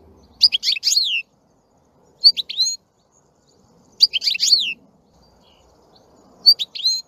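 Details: European goldfinch giving short, repeated twittering phrases of sharp high chirps and a dropping slur, about every two seconds, with quiet gaps and soft low background noise between.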